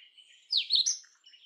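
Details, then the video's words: Indian robin, Copsychus fulicatus, a scrub bird of the Indian subcontinent: a brief, bright whistled phrase sweeping down then rising in a trill, with softer warbling notes around it. "Indian Robin Sound ! Indian Robin Singing Song ! Indian Robin Call"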